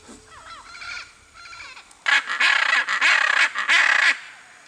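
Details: Hyacinth macaw (Anodorhynchus hyacinthinus) foraging for coconuts and seeds in riparian forest: a few softer, nasal calls, then a burst of loud, grating squawks, about three each second.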